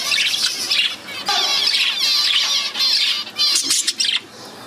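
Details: Budgerigars in the morning chatter with rapid, scratchy warbles and bright chirps, nearly without pause.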